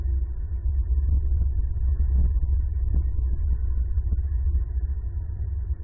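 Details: Steady low rumbling hum with throbbing wind-like noise and no animal calls.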